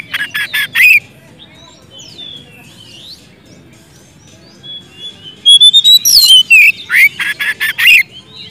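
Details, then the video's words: White-rumped shama in full loud song, calling a rival, used as a lure to make a silent shama sing: bursts of harsh, buzzy notes alternate with high sliding whistles, then a dense, rapid, loud volley. "siulan kacer gacor ngeplong memanggil lawan"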